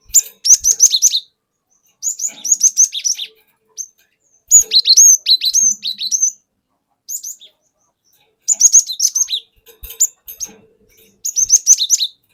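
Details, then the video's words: Cinereous tit taken from the forest, sung as a lure call: five bursts of rapid, high chirping notes, each about a second long, separated by silent gaps, a lively repeated 'wucit wuit' pattern. "Pancingan Burung Glatik Batu Bahan Hutan Auto Ngeplong Wucit Wuit Ngerol Panjang"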